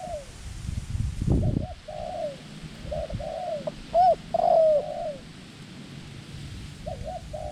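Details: A dove used as a decoy to lure wild doves in Thai ground trapping. A row of mellow, slightly falling coos, a dull thump early on, then two loud, clear, ringing coos, then quieter distant-sounding coos.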